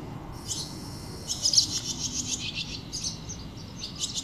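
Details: Barn swallow (Hirundo rustica) feeding its chick: thin, high, buzzy chirps in dense rapid bursts, loudest between about one and three seconds, with shorter bursts near the end, over a soft low rumble.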